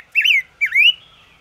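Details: Ngũ sắc bird singing, a recording meant for trapping: two loud, clear whistled notes about half a second apart, the first rising then falling, the second dipping then rising.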